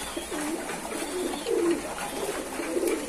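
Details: Pigeons in captivity coo in short, throaty, rolling phrases about once a second, several birds overlapping, with soft background rustle.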